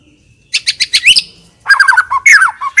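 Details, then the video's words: White-rumped shama singing in 'full isian' style: a run of five sharp clicking notes, a brief pause, then a jumbled burst of warbled, slurred and chattering phrases. "MURAI BATU PILIHAN GACOR TERUS FULL ISIAN MEWAH FULL TEMBAKAN DURASI"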